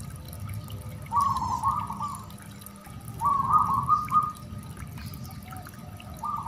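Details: Zebra dove song played to test whether a caged dove has the nerve to answer. Soft, fluttering, mid-pitched cooing phrases about one second long, repeated every two seconds or so over a low background hum.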